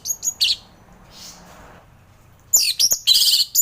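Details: Orange-headed thrush ngeplong song, meant to coax reluctant thrushes into singing in the morning: short high chirps open, a quiet gap follows, then a dense flurry of sharp, high twittering notes closes the phrase.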